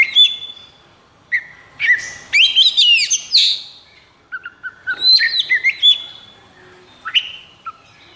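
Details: Caged white-rumped shama in high breeding and emotional condition sings scattered phrases of sharp whistles, quick slurred flourishes and lower fluty notes, separated by short silences over eight seconds.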